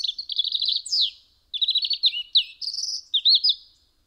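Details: At a home window in Eibar, Gipuzkoa, December 2019, a European robin sings rapid trilled phrases broken by a sharp descending note, then a pause of half a second before further trills and twittering flourishes.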